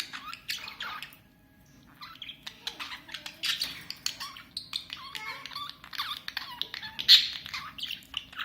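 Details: A green budgerigar, thought female, 7–8 months old, makes rapid scratchy squawks, warbles, clicks and brief high chirps. It is a strange noise she has made daily for a month without choking sounds, while a male companion comes to comfort her.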